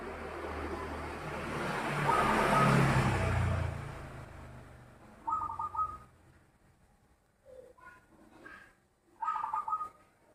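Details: Zebra dove with a loud voice: a loud rushing noise covers the first half, then two crisp, quickly pulsed cooing phrases about four seconds apart, with a few softer notes between them.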